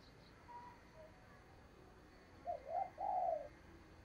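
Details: Spotted dove used as a lure for catching wild doves: a faint, mellow coo phrase of two or three notes near the end, set against constant background hiss.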